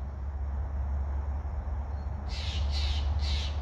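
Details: Jay, identified on the spot as a blue jay or camp robber near a campsite by a waterfall trail with blooming skunk cabbage and white trilliums, gives three harsh, raspy squawks about half a second apart over a steady low rumble.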